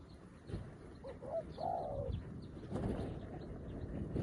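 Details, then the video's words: Newly caught spotted dove used as a decoy, calling to lure wild doves like a seasoned decoy; a soft coo of two short notes and a longer drawn note, partly masked by rustling and low background noise outdoors. "លលកថ្មីមែន តែធ្វើហៅព្រៃដូចធ្នាក់ចាស់"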